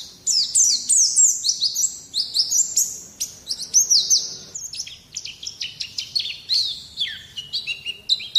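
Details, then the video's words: White-eye song used as a training recording to bring young birds to sing: a fast, high, warbling chatter of sliding whistles and sharp chips, flowing almost without breaks. "Terapi Masteran Terbukti Ampuh Mancing Bunyi Pleci Bakalan"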